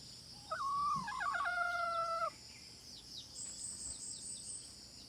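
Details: Chicken giving one loud, wavering crow lasting nearly two seconds, with a rising start and a long held end. A steady high insect drone and thin bird chirps continue afterwards.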